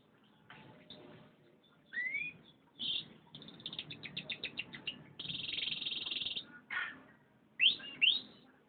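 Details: Canary in varied song: rising whistles, a fast rattling trill of evenly spaced notes, a sustained buzzy high note lasting about a second, then two sharp rising sweeps.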